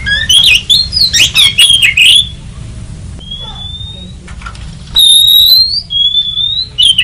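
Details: Lure call of the oriental magpie-robin for trapping: a rapid run of harsh, scratchy chattering notes, then long, pure, slightly rising whistles and a closing burst, over a faint low hum.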